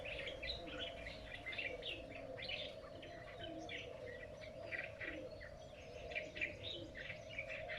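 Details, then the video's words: Unidentified bird singing in a lychee garden at midday in Vietnam: rapid, busy chirping and twittering phrases over a steady low hum, with other chirps mixed in. "tiếng chim lạ này trong vườn vải"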